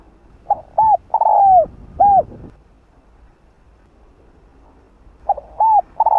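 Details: Lure song from a spotted dove meant to bring in wild doves. A complete cooing phrase with a long sliding note is followed by a quiet gap, then the opening coos of the next phrase.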